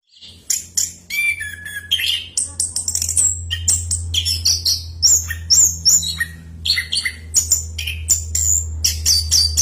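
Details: Orange-headed thrush (anis kembang) in full continuous song, a long rolling run of loud, varied whistled and chattering phrases, sliding and warbling high, with quick notes packed closely together; steady low hum underneath.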